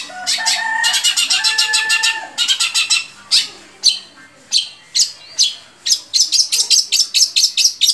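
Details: Long-tailed shrike song meant to stimulate captive shrikes: fast ticking trills with a low droning tone beneath, then spaced sharp notes, then a quick series of high chirps.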